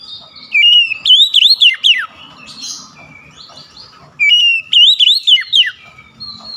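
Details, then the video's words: Oriental magpie-robin (kacer) singing a lively, continuous chattering song. Two loud bursts of sweet whistled phrases slide up and down and are broken into quick notes, with a softer warbled passage between them. "DENGAN CEPAT NYAUT BALAS GACOR SEKALI MENDENGAR OCEHAN KACER INI"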